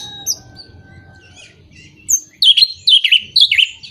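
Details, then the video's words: Orange-headed thrush song used to stimulate moulting or silent birds; faint scattered notes over a low hum, then a loud run of rich falling whistled phrases repeated several times. "Pancingan Burung Anis Merah Mabung, Macet, dan Kurang Birahi"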